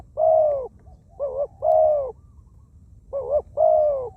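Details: Spotted dove decoy, a small-voiced wild bird calling on the ground: a long mellow coo, then two pairs of a short quavering note followed by a sustained low coo.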